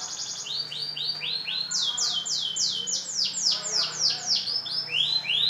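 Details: F1 canary of the Kemayoran type, a large-bodied bird singing vigorously (gacor): rapid runs of clear, high, downslurred whistled notes, several per second, shifting between higher and lower phrases, over a faint steady low hum.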